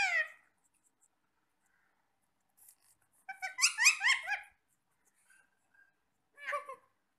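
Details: Parrots eating apple indoors make a brief squawk, then a burst of rapid twittering chirps and a later short call, with quiet gaps between.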